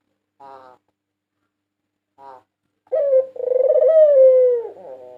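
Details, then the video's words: Prize-winning white Barbary dove, 2022 national champion, singing for use as a lure: two soft, brief burred notes, a pause, then a loud, sustained, rolling coo that swells and slowly sinks. "Masteran burung puter putih juara nasional 2022 merdu dan ampuh untuk pancingan"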